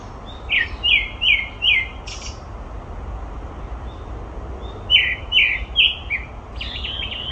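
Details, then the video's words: Grey-backed thrush calling at Olympic Park: a run of four loud whistled notes, each sliding downward, then a sharp high burst, another four descending whistles and a closing scratchy high twitter over steady low background rumble. "되지빠귀 울음소리"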